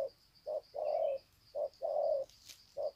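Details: Spotted doves, wild-caught, exchanging greeting coos at Sê San on 21 February 2020: soft short coo followed by a drawn-out level coo, repeated twice in three seconds over quiet background hiss.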